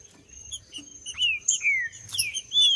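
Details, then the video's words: Green-winged saltator singing, aimed at warming up a cold captive bird. Rich whistled notes slide downward in quick succession, one rising flourish at the end, with light high chirps and a thin steady tone behind. "TRINCA FERRO CANTANDO"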